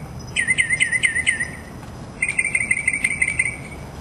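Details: Mockingbird mimicking other sounds: a quick run of bright, wavering chirps, a pause, then a second fast series of even chip notes, with a persistent thin high tone behind.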